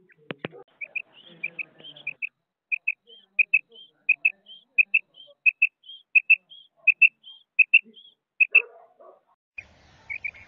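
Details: A female quail, recorded as a hunting call in Pakistan, gives sharp, high paired chirps, about one pair every second, with softer higher notes between; faint rustling is heard at the start and end.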